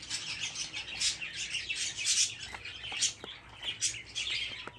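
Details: Fifteen budgerigar chicks together, a dense chorus of harsh, high chirps and raspy squawks in rapid overlapping bursts, peaking roughly every second.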